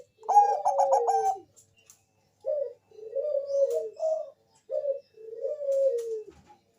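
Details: Bangkok-type zebra dove sings a lure song to coax other doves into answering. It begins with a fast, chattering run of bright notes. Several soft, low coos follow in spaced phrases, each sliding slightly downward.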